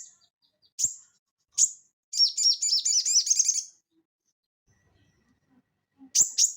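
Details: Crested jay in full voice, recorded as tutor and lure sound for cage birds: scattered sharp high chips, then a fast rattling chatter of about a dozen notes lasting over a second, ending with paired chips.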